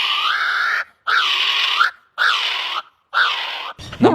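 A kiwi gives four long, harsh, hoarse screeching notes about a second apart, followed by a brief snatch of a human voice.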